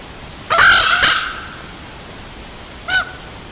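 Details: Raven giving one long, ringing, harmonic call that holds steady before fading, then a single short clipped note about two seconds later; otherwise quiet with faint background hiss.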